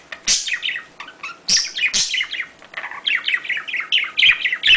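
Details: Budgerigars, small Australian pet parrots, chattering to stimulate breeding: a run of high squeaky chirps and harsher squawks, then a fast warbling series of descending tweets with occasional clicks.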